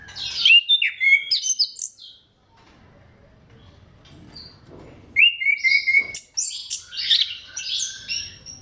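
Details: Orange-headed thrush singing a crystal-clear, energetic lure song meant to stimulate other thrushes to sing: bursts of high varied whistles and trills, a pause near two seconds, then a second rich, rapid phrase with sliding notes.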